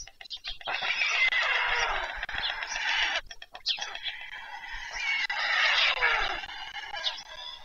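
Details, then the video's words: White stork chicks being fed in the evening, Pyriatynskyi National Nature Park, Ukraine, 21 July 2024: two long bursts of hoarse, wheezy, overlapping begging calls, split by a short clicking pause. "ВЕЧЕРЯ. ЛЕЛЕКА БІЛИЙ."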